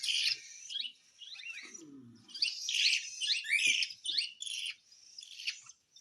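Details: Hand-fed cockatiel begging with rapid, harsh, rasping calls packed closely together, some shrill upward-sweeping notes, and a soft lower grumble partway through.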